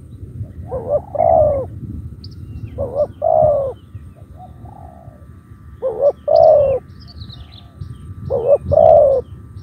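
A spotted dove gives soft, hollow coo phrases, each a quick note or two then a longer coo.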